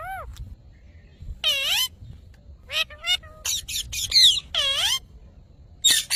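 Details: Talking parrot producing short, nasal, speech-like syllables with bending tones, some sharply rising or falling, separated by brief silences.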